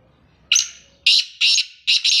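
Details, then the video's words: Male black francolin (kala teetar) calling: a harsh, grating phrase of four loud, rasping, buzzy notes. The first is drawn out, the next two are short, and the phrase ends in a quick doubled note, all over a quiet background. "کالا تیتر آواز ویڈیو کالا تیتر کو بولانے والی آوازیں"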